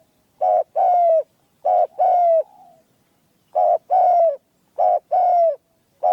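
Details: Decoy spotted dove in a cage, its voice small and clear. Several coo phrases in a steady rhythm, each a short note followed by a longer falling coo, with a soft trailing note after the second.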